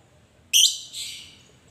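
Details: Lovebird used to lure a rival into calling: one sudden, harsh, high screech followed by a weaker, hoarse second note, in an otherwise quiet setting.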